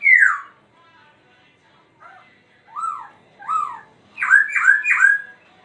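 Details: Laughingthrush singing while dancing: a loud downward-slurred whistle, a pause, then spaced, clear, arched whistles, ending with three quick rich notes in close succession. The background is quiet.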